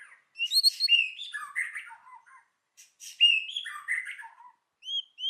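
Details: Forest-style song of a white-rumped shama: two bursts of varied, fast whistled notes stepping down in pitch, separated by a short pause.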